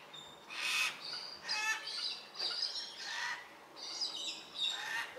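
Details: Fourteen Baudin's black cockatoos feed on marri seeds at Narrikup, 23 December 2022, giving coarse, buzzy screeching calls in irregular bursts roughly once a second, several birds overlapping.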